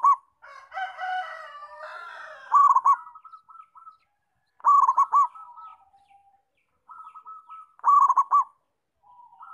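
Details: Local zebra dove singing actively: a jumble of overlapping cooing notes opens, then three bursts of rapid, rolling, stuttered coos, separated by fainter, evenly spaced soft notes.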